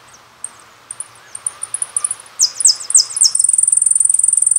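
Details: Jilguero on a song CD: spaced high chips quicken into a short burst of descending buzzy notes, ending in a fast, even, metallic high trill that runs over a second.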